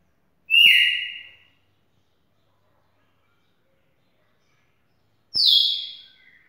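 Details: Red-cowled cardinal, described as a champion, gives two loud, clear whistled notes about five seconds apart, each sliding down to a held tone, with sharp clicks at their onsets and silence between.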